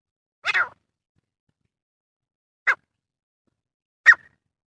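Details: Male grey francolin call used for hunting: three short, harsh, mid-pitched notes spaced one to two seconds apart, the first longer and slightly broken, with silence between.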